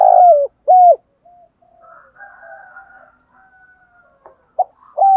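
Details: Spotted dove cooing at dawn to rouse caged doves. Two loud hollow coos open, followed by soft faint cooing in the gap, then a short clipped note and another strong coo at the end.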